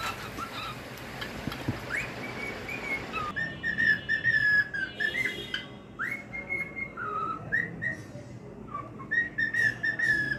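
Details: A male cockatiel sings a run of bright whistles, held notes with upward and downward slides, rising and falling in quick succession. A steady background hiss fills the first few seconds.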